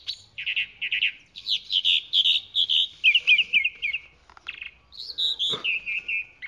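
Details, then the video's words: Chalk-browed mockingbird song: varied phrases of rich, slurred notes, short repeated syllables in quick pairs and triplets, shifting between whistled slides and harsher chirps, with a brief sharp click near the end. "Calandria Grande Canto - Calandria Grande - Chalk-browed Mockingbird Bird Song - Mimus Saturninus"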